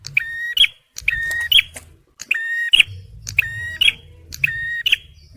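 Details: Singing male bar-winged prinia, played for luring and prompting stressed birds. Paired phrases of a harsh, even buzz followed by a bright chip come in a steady series with brief gaps and low background murmur.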